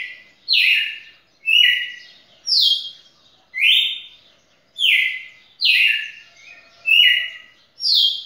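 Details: A record-setting champion red-cowled cardinal sings on and on past two minutes: a steady run of eight strong whistled phrases, each a downward-stepping or sliding clear note, roughly one per second.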